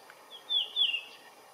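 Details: A blue rock thrush sings from its usual perch, giving a brief fluty phrase of two whistled notes, the latter drawn out and falling slightly, against soft steady hiss.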